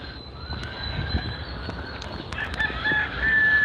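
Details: A rooster crows in the distance beside a neighbourhood athletic field in Panama, a faint drawn-out call rising near the end, over steady outdoor background hum and street noise; roosters here crow even in the middle of the night.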